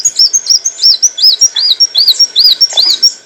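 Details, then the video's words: Olive-backed sunbird song meant for training cage birds, a rapid string of high arched chirps, roughly three per second, clear and evenly paced over a faint high whistle. "kicauan burung kolibri wulung - suara jernih untuk masteran & pancingan"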